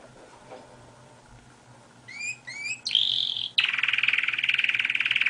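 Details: Canary singing: after a quiet start, a few rising whistled upslurs, then a bright sustained note and a fast rattling trill that runs to the end, over a low steady hum.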